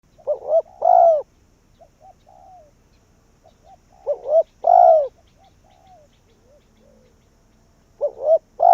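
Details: Spotted dove decoy bird calling wild doves in: three cooing phrases, each two short hooting notes followed by a longer, louder, slurred descending croon, with faint soft coos between phrases. No other sounds.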